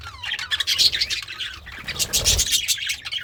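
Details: A contented budgerigar, also called a parakeet, eating greens: short burst of mixed chirps and raspy squawks, then a second chattering burst over a low thud.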